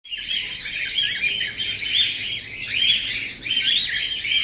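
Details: Cockatiel; mating call; courtship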